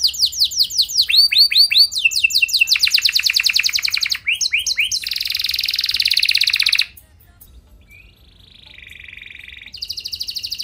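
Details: Canary in full song meant to set other canaries singing: descending sweeps, rapid high trills and a buzzy rattle, then a quieter faint phrase before trilling resumes.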